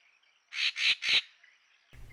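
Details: Racket-tailed treepie at a forest pool in Huai Khayeng Nature Park, Kanchanaburi, Thailand, in March 2024, caught on a trail camera, gives its distinctive call: three quick, harsh, rasping notes in under a second, then a brief dull knock.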